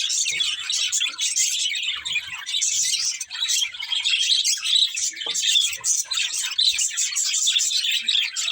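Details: Several budgies chatter continuously, thick overlapping high chirps and warbled notes, the flow dipping briefly just past the third second.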